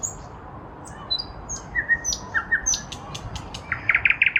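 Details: Nightingale singing in a lilac bush in spring 2023, with high thin whistles, a string of mid-pitched notes, and a closing rapid burst of sharp repeated notes.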